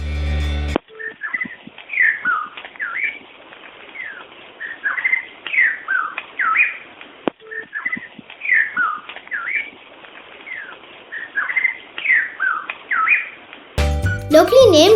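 White-rumped Shama giving rich, varied whistled phrases that swoop up and down, in bursts every second or so; brief music at start and end.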